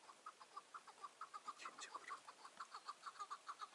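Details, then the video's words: Chukar partridge calling on the morning of 15 March 2020, a decoy bird at a roadside hunting trap in the mountains. Faint, rapid, rhythmic clucking notes repeat about three times a second over a hissing background. "Keklik Sesi"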